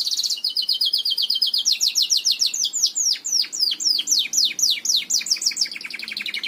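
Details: Belgian canary song for training young singers: a rapid high trill shifting into a rolling series of steep falling whistles, closing with a fast chattering trill.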